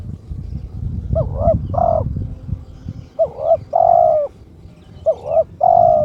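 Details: Kept spotted dove in breeding condition calling to challenge a rival: three crisp, clear cooing phrases, each a quick wavering double note followed by a longer sustained coo, over a low rumble of background noise.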